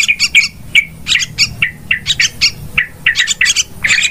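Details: Trapping lure of Yellow-vented bulbul, billed as very noisy: short bursts of bubbly, slightly harsh notes, each burst a few quick syllables, repeated with brief pauses between.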